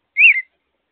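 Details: One short, thin whistle that rises then falls slightly, from an American robin at its nest with young on May 22, recorded by an outdoor solar security camera in an otherwise quiet moment.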